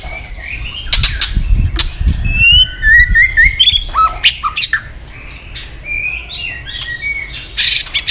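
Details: White-rumped shama female 'tạch líu' calling to fire up males for fights: quiet whistled notes and short chattered runs over low background rumble, ending with clicks.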